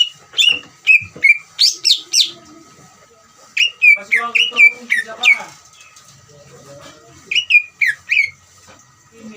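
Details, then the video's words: Greater green leafbird giving a ngeriwik trill used to stir other leafbirds into song: bursts of sharp notes sweeping down, repeated in quick runs with gaps between them, over a low background hum and faint lower sounds. "CUCAK IJO NGERIWIK COCOK UNTUK MANCING CUCAK IJO BAHAN BIAR EMOSI DAN RAJIN BUNYI"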